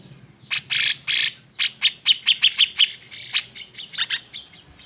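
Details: Grey-cheeked bulbul giving an agitated song meant to provoke other birds into singing: two long harsh rasping bursts, then a quick series of short sharp chirps, about eight in two seconds, and a few scattered buzzy notes at the end.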